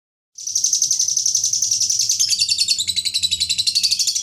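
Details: Lovebird giving a long ngekek chatter, the style prized in song contests: dense, rapid high-pitched trilling chatter that starts after a brief silence and runs unbroken, pulsing about four times a second with a faint low hum beneath.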